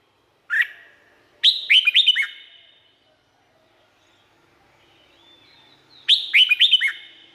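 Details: A Thai red-whiskered bulbul gives one sharp opening note, then a rapid run of five bouncy whistled notes, and after a pause another similar cheerful phrase.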